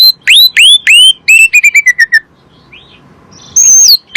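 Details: Asian pied starling song played as a lure to prompt kept birds into singing: loud upswept whistles, then a quick series of falling clipped notes, a pause, and a long level whistle with sharp final note.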